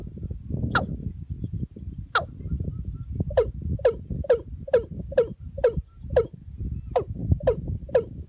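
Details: Watercock, with a female decoy used to lure birds: a series of short, sharply falling notes dropping to a low hook, about twelve in eight seconds and speeding up, over steady low rumbling background noise.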